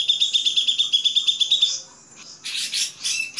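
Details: Grey-cheeked bulbul master song: a quick, high pulsed trill that fades out, followed after a pause by several loud harsh chattering bursts.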